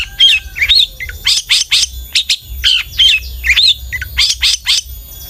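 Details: Long-tailed shrike lure song to make other shrikes sing: scratchy chattering phrases with looping slurred whistles, harsh notes grouped in short bursts, the pattern recurring about every second.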